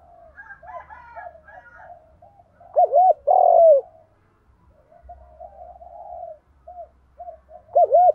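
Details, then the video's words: Spotted dove singing a complete 'đồng pha' cooing song meant to set other doves cooing: soft mumbled notes, a loud pair of looping coos with a long drawn coo, quieter murmuring, then looping coos again. "tiếng cu gáy ĐỦ BÀI giọng đồng pha, chim đẹp giọng hay, mở là bổi gáy"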